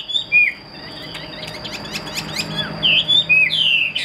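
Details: Whistled, twisting notes from a caged Chinese hwamei kept for fighting open and close a stretch of clicking and rattling chatter, the whistles slurring up and down, over a thin constant high tone.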